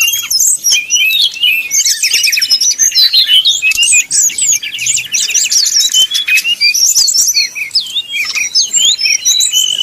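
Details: Brown-chested Jungle Flycatcher singing nyuling-style, a fast bait song meant to anger rivals and spur them to sing. Rapid high, sharply slurred whistles and chattering trills pour out almost without a break.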